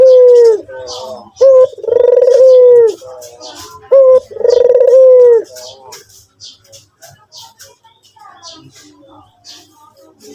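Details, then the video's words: White Barbary dove giving two loud wavering coos, each opened by a short rising note and trailing into softer low notes, after which only quiet high chirping and twitters of other birds continue. "burung puter putih gacor"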